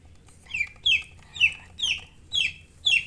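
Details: Peeping of chicks: six clear, high, falling chirps spaced about half a second apart over a quiet low hum.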